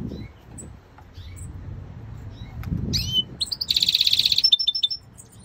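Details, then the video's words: European Goldfinch mule (goldfinch × canary hybrid) singing scattered high twitters and chirps, then a fast, bright, buzzy trill lasting almost a second, over a low background rumble. "European Goldfinch mule singing"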